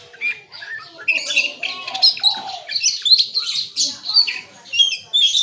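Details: Singing kacer (Oriental magpie-robin) in bongkar isian style, producing jumbled bursts of high whistles, buzzy chips and slurred notes roughly every half second, with other birds calling in the background.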